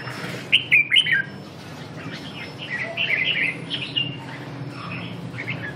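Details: Red-whiskered bulbul at practice: three emphatic whistled chirps in quick succession, a pause, then softer scattered warbling notes, all against a persistent low hum.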